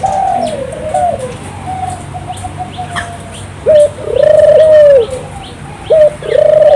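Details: Turtle dove song used to prompt local doves into singing: soft wavering coos at first, then clear loud coos in a short-then-long pattern. Faint chirping from other birds in the background.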